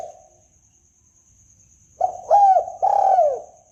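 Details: Spotted dove lure call for trapping: after a quiet pause, two long rolling coos, with a constant high-pitched electronic tone in the background.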